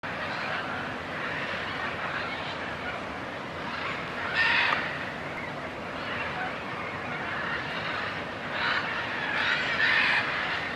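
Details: Wild military macaws in Suaz de Guadalupe, Querétaro, Mexico, during migration time give harsh, raucous squawks over a dense, steady chatter, with two louder bursts of calling a few seconds apart.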